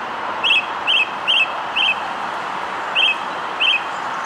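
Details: A song thrush singing from its regular perch near a road at South Lake in early morning before full light gives six short, bright, chirpy notes about half a second apart, over a steady background rumble.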